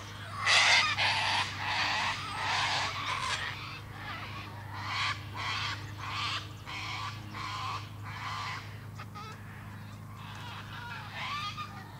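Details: Repeated raspy cockatoo screeches, roughly one and a half per second, loud at first and fading over twelve seconds, with a constant low background hum.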